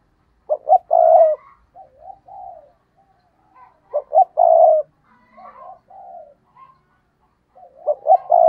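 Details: Spotted dove decoy cooing in the stuttering 'gù cà lăm' style to draw wild doves: three loud phrases of stammered starts and a long coo, repeated about every three seconds, with softer low coos between.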